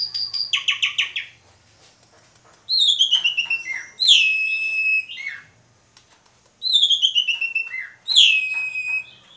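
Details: Jalak suren or Asian pied starling in a lively gacor mompa song. Buzzy, rattling notes open the clip, then loud whistled phrases slide down and level off, repeated in separate bursts several seconds apart, each ending on a held whistle.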